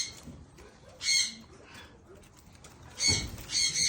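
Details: Blue eared pheasant eating green grass; two loud, harsh squawking bursts about two seconds apart, with quiet background rustling between them.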